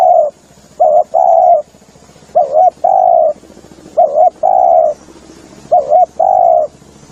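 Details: Spotted dove calling, recorded for use as a lure: low, soft coos in repeated phrases, a short double note followed by a longer drawn-out coo, each phrase about every one and a half seconds, with a faint high hiss.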